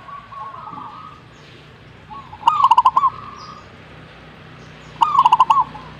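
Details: Zebra dove replying with its song: two bubbling phrases of rapid soft coos, roughly two and a half seconds apart, after a quieter drawn-out tone, over a hissy background.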